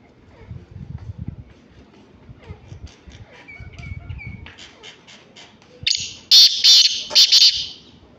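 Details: Black francolin giving its morning call: a loud, harsh, grating series with several rapid chopped notes near the end, after faint chirps from small birds and a low background rumble.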